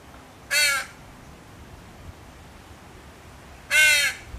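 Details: Two short, harsh caws from a crow fledgling begging its mother for food, separated by about three seconds of quiet.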